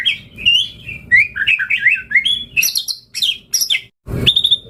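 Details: White-rumped shama singing in lively fashion, its song packed with varied phrases: quick clear whistles and warbled notes sliding up and down, delivered in fast bursts with short pauses, and a dull knock near the end.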